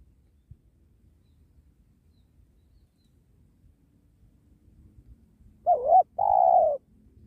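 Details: Spotted dove, a 'penguku' type, at a sacred tree during dove trapping. Several seconds of faint low rumble, then one clear two-part coo near the end: a wavering short note and a longer hollow hoot.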